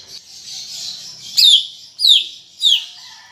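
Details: Greater green leafbird in lively, chattering full song: three loud, sharp whistled notes sliding steeply downward, spaced about half a second apart, over a steady high hiss.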